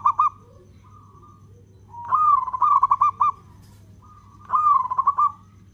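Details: Local zebra dove in lively voice giving long-beat cooing, used as a lure to provoke other doves into singing. Three phrases, each a drawn coo leading into rapid clipped beats at a steady pitch, over a constant low hum.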